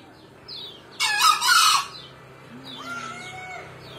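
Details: A male green junglefowl, calling vigorously, gives a short, rough, broadband crow of under a second. Quieter thin whistled notes from other birds come before and after it.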